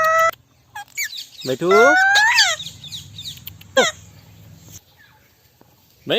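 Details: Talking male Indian ringneck parrot gives loud, harsh opening notes, then a long, buzzy, rising voiced phrase with strong overtones, followed by a quieter stretch, a single sharp squawk and a final loud call.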